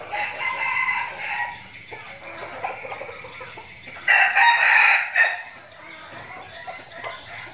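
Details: Flock of decoy red junglefowl practising before a forest outing. Rough, harmonic crowing is heard at the start, then a short, loud, strident crow follows around the middle. Quieter calls from other birds continue in the background.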